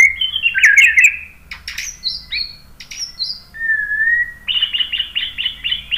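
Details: White-rumped shama varied song, played to make other birds sing: rich warbles, sharp clicks and high upslurred notes, a low steady whistle, then a fast series of repeated ringing notes.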